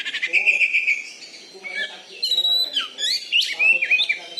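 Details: Contest-winning caged Oriental magpie-robin from Bengkulu, Indonesia, opening with a rapid trill of repeated notes, then loud sweeping whistles and sharp chirps; faint low murmur of other sound underneath.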